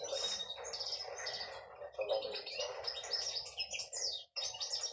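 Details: Short phrases of female canary song: chattering trills and high sweet notes, pausing for a moment just after four seconds before resuming.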